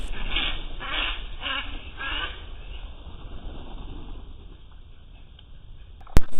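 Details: Domestic ducks about six months old quack while calling for a trapped flockmate: four or five coarse, evenly spaced quacks in quick succession, then fade out, leaving a steady hum and a sharp click.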